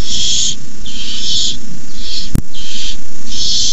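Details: Nestling barn owls hissing loudly at night as a parent arrives with a rabbit, 9:57pm, 18 May 2015: five long, strong breathy hisses in quick succession, one brief click between them, low background hum.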